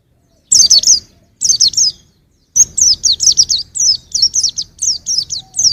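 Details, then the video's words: Young white-eye: short high chirp groups at first, then a longer run of fast, sharp, descending notes delivered almost continuously toward the end. "suara burung pleci masih muda"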